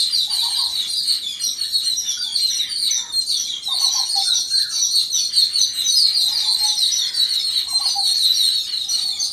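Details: Flock of Yellow-billed babblers united against an unidentified threat, producing an unbroken high, rasping chatter overlaid by occasional short, lower, buzzy calls.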